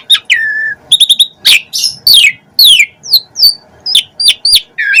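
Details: Asian pied starling song full of varied phrases: a falling whistle, quick chip clusters, harsh downslurred squawks and brisk rising whistles repeated in a fast, chatty run.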